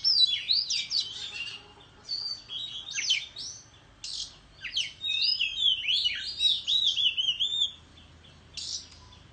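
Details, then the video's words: Countryside Oriental magpie-robin singing competitively with tail-fanning display; fast jumbled phrases of sliding whistles and chattery notes in repeated bursts, brief quiet gaps between, a final short phrase after a pause. "Chích Choè Than Hót Múa Xoè Hót Đấu Tại Vùng Quê"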